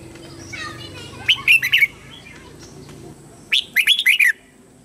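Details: Red-whiskered bulbul used as a lure bird, singing to call wild bulbuls in to fight; two bursts of quick, bright warbled notes, each about half a second long, over a low steady hum.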